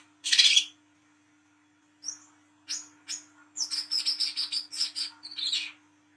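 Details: Olive-backed sunbird recorded at night as a lure: a harsh buzzy burst, then high slurred whistles building into a fast run of repeated sharp whistled notes, with a faint low hum.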